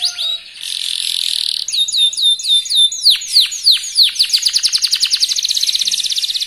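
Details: Young local canary singing rapidly as a lure for other singers: buzzy opening, a row of sharp whistled slurs, then falling sweeps that speed up into a fast, even trill.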